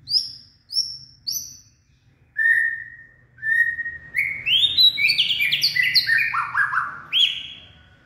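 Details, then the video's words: White-rumped shama, a purebred bird, singing in the late afternoon on 18 February 2024. Three high whistles and two lower drawn-out ones open into a rapid tumbling cascade of varied whistled notes, over a faint low hum. "Purebred Bird Song And Dancing/ Birds white-rumped shama.Late Afternoon Singing."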